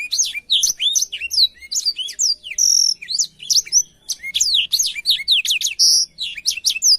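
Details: Blackthroat song for canaries to learn from. Lively, tumbling high whistles and chips come in quick succession, with a brief buzzy note near three seconds and a clear whistled phrase near six seconds.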